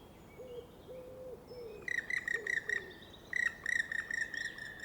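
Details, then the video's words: A Black Woodpecker passing through forest gives its characteristic long, rolling call: two rolling runs of harsh, evenly spaced notes at about five per second, preceded by softer, low, drawn-out notes. "Et cette fois, c'est un pic noir qui vient de passer. son cri long et roulé est caractéristique."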